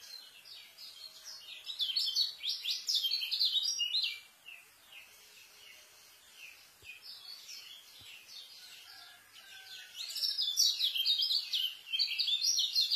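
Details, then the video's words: Fast, crowded white-eye song meant to tutor new birds: a four-second stream of sharp high chirps, a quieter pause with scattered notes, then another loud rapid burst near the end. "KECIAL SPEED RAPET ISIAN,COCOK BUAT MASTER KECIAL BARU"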